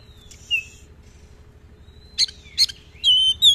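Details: Oriental magpie-robin in active song, long rolls and many varied filler phrases, recorded as a lure and tutor for other magpie-robins: a few sparse high whistled slurs and sharp clicks separated by pauses, over a steady low hum.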